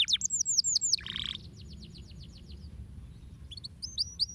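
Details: Canary song played to stimulate other birds to sing, with quick arched whistles, a short buzzy burst, a soft slow series of strokes, a quiet pause, and then faint high chips and whistles.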